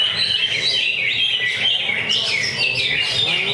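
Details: Greater green leafbird singing in a cage at a weekly Friday practice bird singing contest. A bright, high, continuous warble of whistled notes dips and rises in quick succession, with other contest birds and crowd murmur faintly behind.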